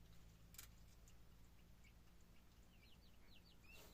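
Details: Quail chicks still in their shells, first pips showing after 16 to 17 days in the incubator, give a brief series of high, thin, downward-sliding peeps against a quiet low machine hum.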